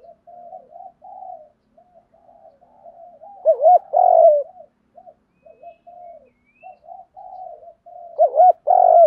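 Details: Decoy spotted dove cooing to excite and attract wild birds; faint wavering notes fill the gaps between two strong phrases, each a pair of rounded looping coos ending in a drawn-out tone.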